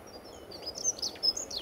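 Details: A dunnock at Little Paxton Nature Reserve in February 2013, among dozens of vocal dunnocks, gives a quick, high-pitched warble of thin, jangling notes tumbling together, over a soft background hiss.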